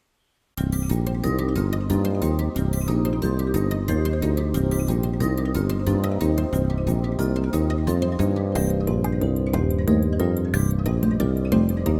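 Upbeat instrumental music with a steady beat and bright chimes plays throughout, with no animal sounds.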